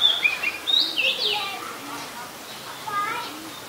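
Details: Oriental magpie-robin, very common resident, Ubon Ratchathani, Thailand, 7 January 2021: a burst of loud high whistled and slurred notes at the start, fading to softer scattered chirps from other birds.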